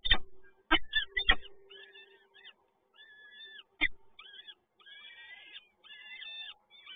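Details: Peregrine falcon chicks in a Toruń nest, Poland, begging during a feeding on 30 April 2022: a steady series of thin, wavering, harmonic squeals, broken by several loud knocks near the start.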